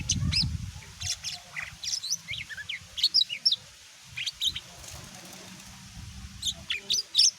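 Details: Greater green leafbird kept for songbird hobbyists, its song meant to rouse other birds to reply: scattered sharp, high chirps and short slurred whistles come in loose bursts over a faint low rumble.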